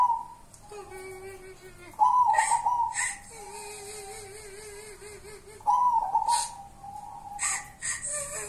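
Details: Local wild-type zebra dove, called 'perkutut kuntilanak', giving short rolling trilled coos at intervals, interleaved with long wavering lower whistled tones and sharp clicks and taps.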